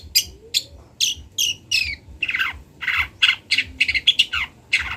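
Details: Local long-tailed shrike from Kendal, recorded as a master recording for training birds to learn sounds: loud harsh chattering bursts, several descending scratchy notes, then a faster run of repeated rasping squawks.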